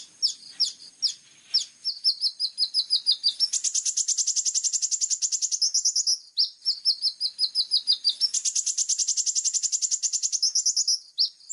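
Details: Plain-throated sunbird singing actively in full sharp 'tembakan' style, clear-voiced. Scattered high slurred chips build into long, very rapid buzzy rattling trills lasting several seconds, twice over, each dropping into a short wavering whistle.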